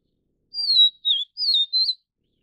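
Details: Vivid niltava feeding chicks in Taiwan's mountain forest: four whistled notes around 4k, a long descending slur, a brief low dip, then two quavering notes, clean with no background sound.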